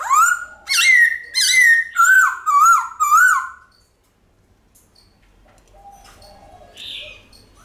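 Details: White-cheeked laughingthrush singing in a full forest-style voice, used to prompt pet birds to sing: six loud, ringing whistled phrases with wavering, warbling pitch in quick succession over about three seconds, then near silence with faint background notes.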